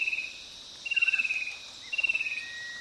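Fan-tailed cuckoo giving three short, high, slightly descending trills about a second apart, over a steady high hum of insects.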